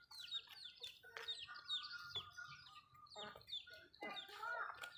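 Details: Backyard Malay chickens eating: clusters of thin, high falling chirps with bursts of clucking and pecking clicks, uneven in rhythm.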